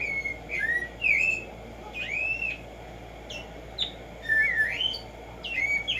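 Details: Black-striped sparrow, known locally as Tumba Yegua or tico tico, giving a run of bright whistled phrases, slurred notes swooping down and up, spaced by brief pauses over a soft constant hiss.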